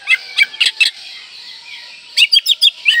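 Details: Oriental magpie-robin singing a full, varied song to stir breeding condition and rile rivals: two quick clusters of high chirping and whistled notes separated by a pause of about a second.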